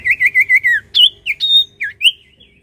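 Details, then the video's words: Sirtu in full voice: a rapid string of five rolling, wavering whistles, followed by sharp rising and falling whistled notes in quick succession, clean and loud. "SIRTU GACOR"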